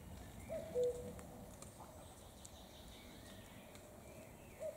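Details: Common cuckoo heard faintly outdoors: one soft two-note cu-coo, high then lower, near the start, and a clipped fragment of another at the end, against steady low background noise.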